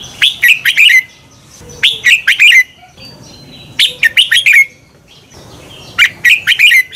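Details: Red-whiskered bulbul song meant to spur birds into competitive singing: four phrases of rapid, bright, slurred whistled notes, each lasting under a second, separated by short quiet gaps.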